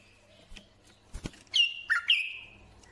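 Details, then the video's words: Bulbul song: a short run of clear whistled notes sliding downward, given in three quick phrases after a sharp click and some faint chirps, over a quiet background hum. "تغريد بلابل"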